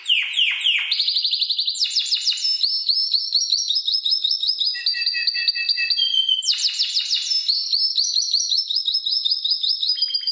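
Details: Spanish timbrado canary performing a tutor song for training canaries: swift descending sweeps, a long bubbling trill, twangy repeated notes, then another burst of falling sweeps and rolls.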